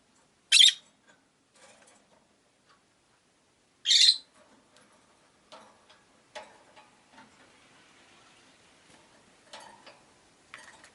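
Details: Rosy-faced lovebirds, five caged birds beside a window, utter two sharp piercing shrieks about three seconds apart, followed by soft chattering and faint street noise.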